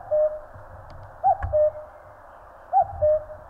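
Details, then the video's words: Common cuckoo calling in the mountains of Korea: a clear two-note cuck-oo, the first note higher and the second lower and longer, heard twice in full about one and a half seconds apart, with a low rumble underneath. "청량한 뻐꾸기 울음 소리. Cuckoo chirping in the mountains."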